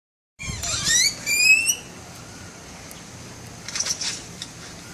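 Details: Bird of paradise imitating camera sounds: a rapid run of squealing, rising harmonic tones lasting just over a second, then a pause and faint clicking bursts like a shutter.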